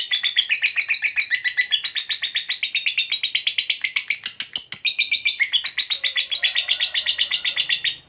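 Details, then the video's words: Long 'ngekek' trill from a fighter-type lovebird, sung to provoke rival lovebirds to respond; fast grating pulses, about four per second, run unbroken for eight seconds, the pitch wavering slightly and briefly rising near the middle. "Lovebird FIGHTER Ngekek Panjang FULL EMOSI_Pancing Lovebird KOYO AUTO Nyaut Gacor RAJIN BUNYI"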